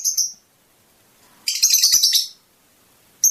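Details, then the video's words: Fischer's lovebird singing, a sound said to stimulate mating: a short shrill high note, then about a second of dense buzzy chattering, with one more sharp chirp at the end. "أجمل تغريد لطيور الفيشر"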